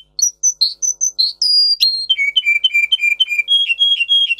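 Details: Russian singer canary song used to teach young canaries: separate bright whistled notes, a long pure high tone, then a fast rolling series of short dipping notes and a steady whistle at the end.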